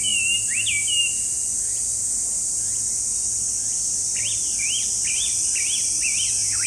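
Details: Chinese hwamei gives a short whistled phrase, falls silent, then resumes with a quick series of bouncing, hooked whistles; a steady high insect hiss runs throughout.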